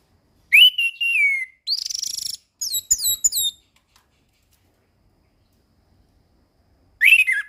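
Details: Settled orange-headed thrush used as a tutor singer: a clear falling whistle, a buzzy high rattle, a run of quick upward-flicked notes, silence, then another whistled phrase beginning.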